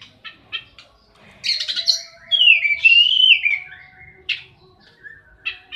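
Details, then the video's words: Oriental magpie-robin in a fight: short clicks and a harsh burst, then a long, fluttering, wavering whistle and a few scattered sharp notes. "Suara burung Kacer tarung"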